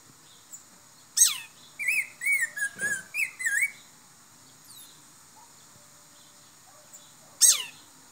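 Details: A black-throated grosbeak sings a run of short, slurred whistled notes at mid pitch, framed by two sharp descending whistles at the start and end, over a steady high hiss.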